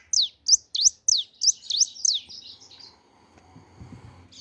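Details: A rapid string of about eight crisp, high whistled notes, each sliding downward, pours out at the start, then fades into soft low rumbling and quiet background.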